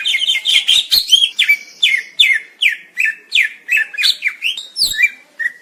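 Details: Greater green leafbird singing a steady string of slurred, downward-sweeping whistled notes, about two to three per second, with a few sharper squeaky notes mixed in.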